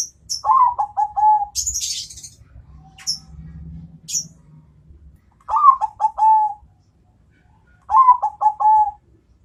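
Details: Bangkok-type zebra dove answering a rival. Three bursts of rapid, stuttering coo notes, each a quick rolling run of about five notes, spaced roughly every three seconds. Brief high chirps and a low hum come between the bursts.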